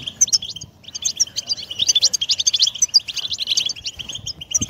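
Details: European goldfinch song played to stimulate a pet bird to sing, a lively jumble of high tinkling twitters and chirps, fast and continuous, with faint low background noise.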